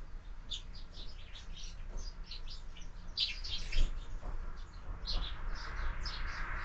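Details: Sparrows at a window feeder on a morning, giving a chain of soft, quick chirps with one sharper note near the middle, set against steady low noise.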